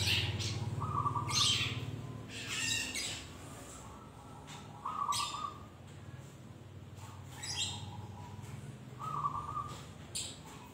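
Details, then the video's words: Young long-tailed shrike learning to sing: separate harsh squawks and crackling bursts alternate with short, flat mid-pitched notes every second or two, over a low background hum. "cendet trotol belajar bunyi"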